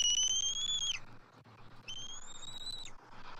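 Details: Quieter calling from adult eagles at a Southwest Florida nest tree, 12 March 2024, with an immature eagle circling. Two drawn-out high whistles, the first falling at its close, the second slightly rising, over a soft low background hum.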